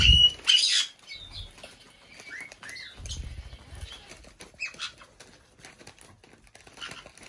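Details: Pet female black-headed parrot, five years old, kept indoors in a bird room on her birthday: loud harsh screechy bursts at the start, then short arched whistles and squeaky chirps, with wingbeat-like thumps and light rustling.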